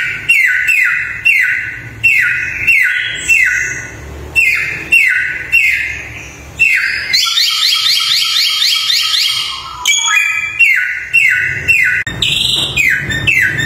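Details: Samyong bird singing at length: repeated downward-sliding whistles, then a fast rattling run of high rising notes, followed by more falling whistles and sharp high calls.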